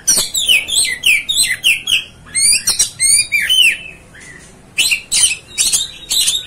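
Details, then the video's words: Oriental magpie-robin, known as kacer, singing a fast string of downward-slurred whistles, varied chattering phrases and abrupt harsh bursts, repeated in quick succession. "MEMANCING | MEMBAKAR EMOSI KACER ANDA"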